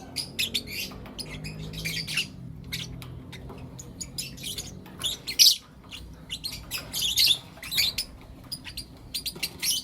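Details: Lovebirds, blue opaline and lutino opaline, kept as pets, chirping in the morning: harsh, broadband chirps in irregular clusters over about ten seconds, some loud bursts, with a faint low hum beneath.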